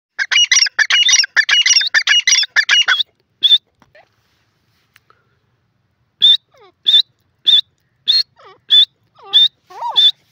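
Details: Grey francolin calling loudly outdoors: a fast, dense burst of harsh, stacked chattering notes for about three seconds, then a pause and a run of single sharp high notes repeated roughly every half second.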